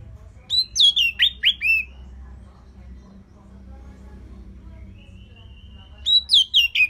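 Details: Orange-headed thrush in steady song, used for tutoring other birds: a fast string of about five descending whistled notes, a quiet stretch with one long faint tone, then another rapid whistled series.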